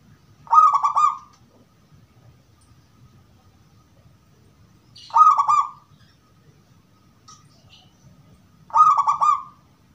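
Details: Zebra dove of the gedong mengo type, cooing in a 'crystal' voice used to lure replies from other doves: three pulsed, rolling coo phrases spaced about four seconds apart, with faint high chirps in the gaps.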